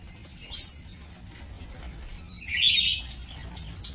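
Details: Aviary lovebirds on 7 June 2024: one sharp, high shriek near the start, then a longer harsh, rasping chatter about two seconds later over faint low rumble.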